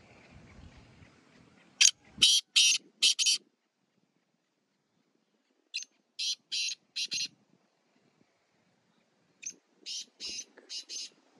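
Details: Black francolin (kala teetar), a Sheedi Chinga cross, in a village setting: three bursts of four to five harsh, buzzy, rasping notes spaced a few seconds apart, with short silences and faint low rumble between phrases.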